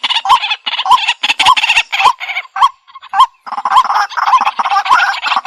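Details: Waterhen calls played for bird trapping: harsh, repeated croaking notes with short hooked, rising-falling tones, roughly twice per second, dense and overlapping, with brief pauses between bursts.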